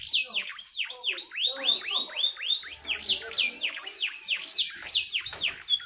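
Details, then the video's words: Canary in a quick, dense song style meant to prompt lazy canaries to sing or serve as a master tutor: a long run of sharp falling whistled notes repeated several times a second, bright and high. "Kenari AF Speed Rapat Cengkokan Unik Cocok Untuk Pancingan Kenari yang Malas Bunyi"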